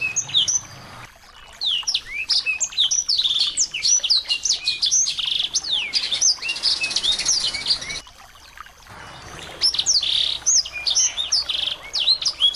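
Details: Assorted small birds played as a tutor recording to provoke a white-rumped shama into singing: dense overlapping high chirps, whistled down-slurs and buzzy bursts, with an abrupt quiet break near one second and another around eight seconds.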